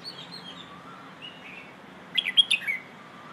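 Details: 'Hoh' style training song of a Red-whiskered bulbul for young birds: faint distant warbles at first, then one loud, fast phrase of sharp chirpy notes falling at the end.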